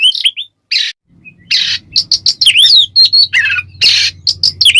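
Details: Oriental magpie-robin singing ngeplong, meant as a lure to rile other birds: scratchy bursts alternating with bright looping whistles and quick chirps, separated by brief gaps, with a steady low drone behind.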